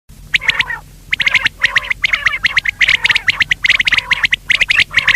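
Quail calling in quick bursts of sharp, clipped notes, several notes a second with brief pauses between groups, high and slightly harsh.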